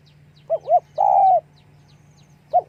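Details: Spotted dove calling with wing flapping: two short, rounded coo notes followed by a longer, level crooning note, with one more short coo at the end over a low, steady hum.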